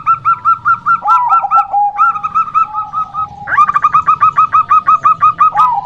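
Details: Song of a local female zebra dove, used to lure males or wild doves: dense runs of quick, bouncing fluty notes at two overlapping pitches, a lower drawn-out coo, then a long even series.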